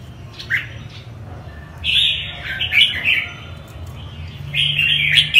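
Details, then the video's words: Northern-type red-whiskered bulbul singing bright, chattering phrases of liquid, warbled notes, two bursts about a second long with short chirps between, over a faint low hum. "chim chào mào bắc hay nhất"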